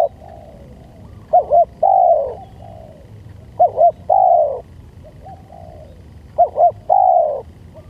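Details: Spotted dove cooing used as a lure, three phrases in which a brief double coo leads into a longer, smooth, slightly falling coo, separated by short gaps, with a low steady background hum.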